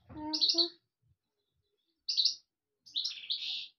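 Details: European goldfinch singing: two or three short bursts of high, tinkling twittered notes separated by silent gaps of over a second, with a faint low-pitched speech-like sound at the start.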